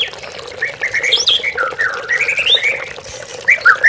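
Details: Oriental magpie-robin (murai batu) lure song for captive birds: softer run of whistled notes rising and falling, a high sweeping phrase, ending in a few sharp chirps, with steady hum behind.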